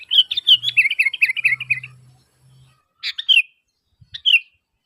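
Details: Sooty-headed bulbul calling lively to lure other bulbuls into answering: a fast chattering run of downward-stepping notes lasting about two seconds over a low hum, then two short slurred phrases after a pause.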